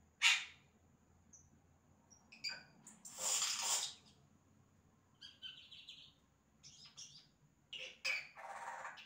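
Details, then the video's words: Yellow-rumped cacique imitating other sounds in its song: loud harsh noisy bursts alternate with brief pure whistles and buzzy chattering phrases, separated by short pauses. "Xexéu Cantando imitações"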